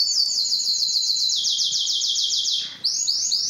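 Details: Singing canary courting females for mating and breeding, delivering a fast, even rattle of high repeated notes for over two seconds, a brief pause, then a new high trill begins.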